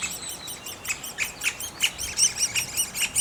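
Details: Great spotted woodpecker nest: loud, excited high chirping, harsh sharp notes piling up and intensifying in the second half, with short whistled squeaks near the end.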